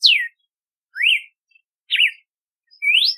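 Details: Red-cowled cardinal, also called galo de campina, singing clear whistled phrases about once a second: a falling slur, a rising-and-falling note, a zigzag note, then a rising slur.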